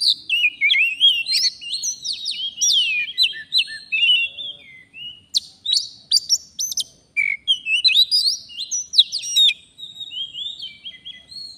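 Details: Forest Oriental magpie-robin lured by a fighter decoy pours out a long lively song of chattering chirps, sharp clicks and varied whistled slurs, with brief gaps between bursts.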